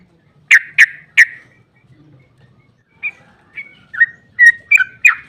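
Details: Sooty-headed bulbul sounds used as a lure for other bulbuls: three loud sharp chirps, a quiet gap, then softer scattered notes that build back into quicker, brighter chirping.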